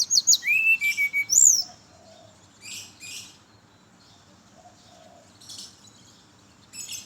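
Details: Brown-chested jungle flycatcher singing in the morning, used as a lure for other birds of its kind: a loud burst of sweet whistled notes, sliding and warbling between high and higher pitches for about two seconds, then softer distant chirps.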